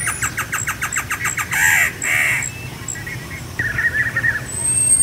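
A Great Antshrike sings a quick run of hooting notes that ends in harsh, snarling growls.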